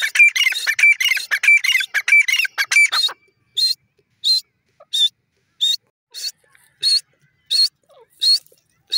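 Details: A francolin known locally as Irani teetar. Three seconds of crowded, raspy repeated notes give way to single sharp high bursts spaced evenly about two thirds of a second apart, with near silence between them.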